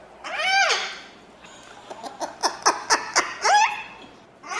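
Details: Crested cockatoo calling loudly and shrilly: a falling harmonic squawk, a run of soft clicks and taps, then another downward-bending screech and the start of a further cry.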